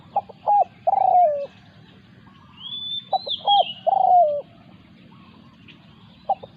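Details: During decoy luring a wild spotted dove defends its ground. It calls repeated coo phrases, about one every three seconds, each with two brief notes and a longer falling coo. A third phrase begins at the end, with high whistles between phrases.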